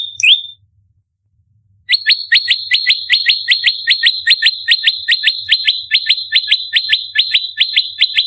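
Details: Bar-winged prinia giving close-fired fighting calls, used to lure and train birds: one lone high note, over a second of silence, then a rapid barrage of about twenty-eight sharp chips.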